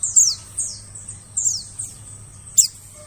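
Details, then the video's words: White-eye lure call meant to draw birds in the forest: high, thin descending chirps, some doubled, followed by a single sharp note near the end, over a soft low hum. "suara pikat burung pleci"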